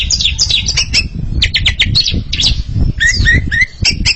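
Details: Paired Oriental magpie-robins singing against each other, with rapid clipped chattering notes and short whistles, ending in a few clear downslurred whistles, over a steady low rumbling background noise.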